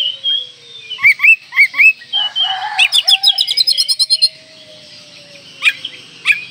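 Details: Oriental magpie-robin in breeding condition, singing to provoke rivals: loud varied phrases of sharp rising and falling whistles, then a rapid run of chattering notes, then a sparse pause broken by two sharp calls.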